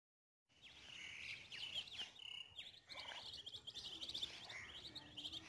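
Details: Several chicks, apparently swimming, peep nonstop: shrill, high overlapping calls, many sliding downward, with a few brief pauses over faint background hiss.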